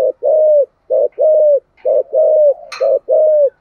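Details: Low, hollow coos from a spotted dove in the 'giọng thổ' voice, sung to stimulate other doves; steady pairs of a short clipped note then a longer gently falling note, about one pair per second, with a brief click.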